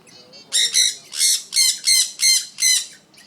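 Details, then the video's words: A pet African grey parrot gives six loud, harsh squawks in a steady series, each about a third of a second long, after a few soft, low whistled notes at the start. "African Grey Parrot"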